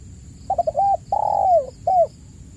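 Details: A single full spotted dove phrase, meant as a lure for silent caged doves: fast stammering short coos, a sustained coo gliding downward, then one short coo, backed by a faint continuous high tone.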